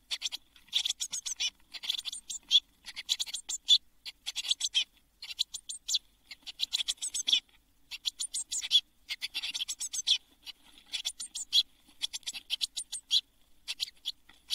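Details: A brood of seven blue tit chicks crowded in a nest box, all fledging on 24 June 2022; long, almost continuous bouts of hissing, buzzy high chirping with short gaps.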